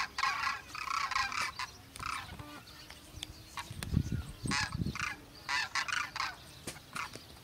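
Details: A huge flock of common cranes calling in flight gives loud, rolling, trumpeting calls in quick overlapping bursts, with low wind rumble underneath.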